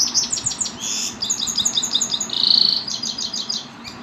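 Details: Captive aviary Himalayan goldfinch sings a fast, high, tinkling twitter of quick repeated notes, broken by a brief buzzy trill midway; Quetta, Afghanistan.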